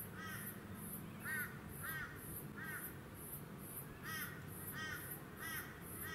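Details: Repeated arched, mid-pitched notes from a male Eastern Koel on the Sunshine Coast, Queensland, in February 2020, about eight in six seconds at an uneven pace, against a steady high-pitched pulsing buzz.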